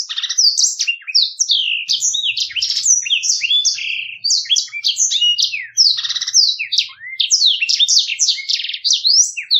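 Black-throated canary singing a continuous, fast, rolling song of high sweet twitters, trills and rising and falling slurred notes, with no break and nothing else heard.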